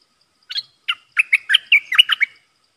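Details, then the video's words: Caged red-whiskered bulbul used as a decoy to attract wild birds, 12 September 2021: one note, then a lively run of about eight bright, warbled chirps that bounce up and down within under two seconds, with nothing else audible. "Suara pikat merbah lekir gacor"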